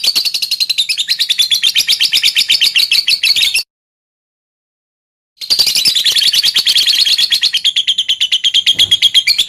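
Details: Lovebird song used to stir other lovebirds into singing: dense, fast high-pitched chatter in long unbroken runs, broken by a short silence midway, then resuming just as rapidly.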